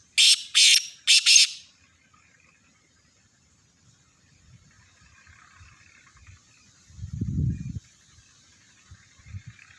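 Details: Black francolin, known locally as kala teetar, kept as a pet: three loud harsh bursts in quick succession in the first seconds, followed by near silence with a few low thumps and rustles.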